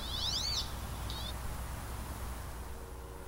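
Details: Wood duck at the Celery Fields in Sarasota, Florida, giving a quick squealing call of rising then falling high notes, followed by a shorter second squeal, over a steady low background rumble.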